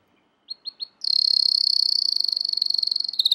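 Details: An American Singer canary sings a training song: three short upswept notes, then a long, very fast high trill that slows slightly toward its end.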